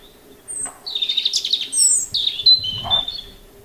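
A European robin sings a rapid, tinkling phrase of high thin notes and liquid trills that rise and fall, with a faint hum in the background.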